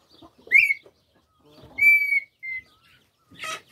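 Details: Red-winged tinamou at the start of another season: a short rising whistle, then a long, steady, clear whistle with bright overtones and a brief flat note after it, ending in a burst of broadband rustling.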